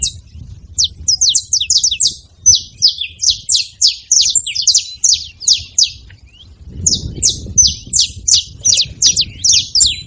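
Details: Several saffron finches calling together: a dense run of sharp, high, downward-slurred chirps, often overlapping, with a short pause near six seconds before the chatter resumes. A faint low rumble sits underneath.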